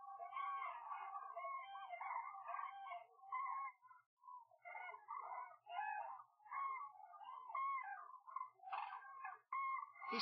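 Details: A flock of wintering cranes at Gallocanta lagoon, Spain, gives loud, rolling trumpeting calls used to keep in contact. Many voices overlap in a continuous chorus, with a few sharper, higher notes near the end.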